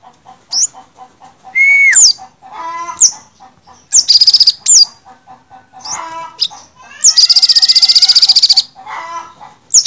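An olive-backed sunbird sings a busy run of high, thin chirps, sweeping whistles and fast buzzy trills, with a soft ticking chatter underneath.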